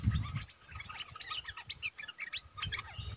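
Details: Decoy Streak-eared bulbul delivering a dense run of bubbly, warbled chirps in quick succession, with a thump at the start and low background rumble.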